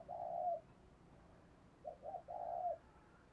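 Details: Spotted dove decoy cooing to urge others to call: a faint long coo, a pause, then two short notes leading into a drawn-out coo, over a steady low background hiss.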